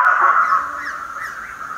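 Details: Chestnut-fronted (severe) macaw (Ara severus), tagged as birding in Peru, gives a single harsh, grating squawk drawn out for almost two seconds with a slight waver in pitch.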